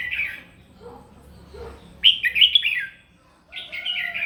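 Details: Morning fighting song from a crested red-whiskered bulbul, sung to stimulate rivals: a loud burst of tumbling whistled notes, a brief gap, then a further warbled phrase, with fainter bird sounds earlier.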